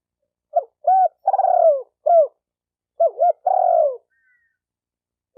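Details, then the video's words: Spotted dove calling to stimulate males and females: two phrases of short hooked notes and a long coo dropping in pitch, clear against a silent background. "Tiếng chim cu gáy kích bổi kích trống kích mái"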